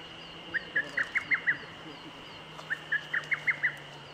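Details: Lesser cuckoo singing in 2014, two quick, loud phrases of about six sharp, emphatic whistled notes (rendered 'tokkyo kyoka kyoku'), repeated after a short pause over a steady background hum.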